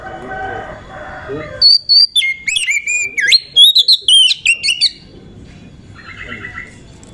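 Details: Oriental magpie-robin (kacer), a female used as a lure to excite and provoke males into singing: loud, varied run of clear whistled and slurred notes, rising and falling, some sharp upsweeps, lasting about three seconds between quieter background chatter.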